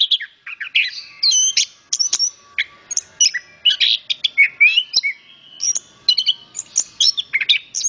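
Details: {'caption': 'Orange-headed thrush singing a rapid, varied stream of high whistled and chattering notes. Sharp downslurs, rising slides and short trills follow each other with little pause. Background is otherwise quiet.'}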